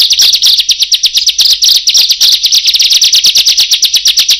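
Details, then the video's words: Intense bar-winged prinia song suited to luring birds: fast, harsh, buzzy high notes repeated about seven per second, forming a loud, grating, unbroken rattle. "Suara Brutal Burung Ciblek / Prenjak Cocok Untuk Pikatan"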